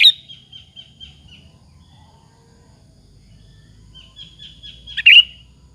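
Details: Sooty-headed bulbul singing as a lure meant to stir rival bulbuls into replying; a short series of soft, evenly spaced whistled notes, then a long silence, then another run ending in a louder, sharp burst; quiet background.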